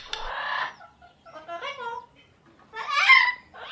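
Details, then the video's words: Indian ringneck parakeet saying "mitthu" in imitation: speech-like warbling syllables with wavering tones, a quieter middle phrase, then a louder, rising-and-falling call. "funny parrot 🤣calling mitthu mitthu|ringneck parrot"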